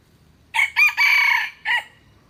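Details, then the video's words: A red junglefowl gives one full crow in four parts, starting with a clipped note, followed by two longer hoarse segments and a short falling close, with faint low background noise. "tiềng gà rừng 100% suab qaib qhua zoo heev"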